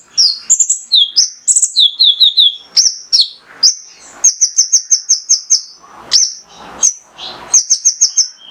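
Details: Male konin, the Mangrove whistler, in gacor 'tembakan' song used to excite other birds: descending whistled triplets, then quick runs of repeated high piping notes and scattered sharp chirps.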